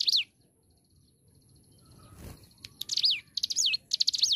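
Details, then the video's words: Hill prinia (ciblek gunung) in lively, full song: a single high downslurred note, a pause, then a quickening run of buzzy stuttered notes and sharp high whistles that swoop downward, repeated several times. "Ciblek gunung Gacor"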